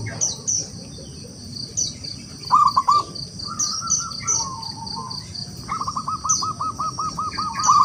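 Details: Wild local zebra dove calling out to rival birds, heard at a distance: short bursts of fast, level cooing notes, one ending in a long rattling series, amid high chirps from other birds and a steady background hiss.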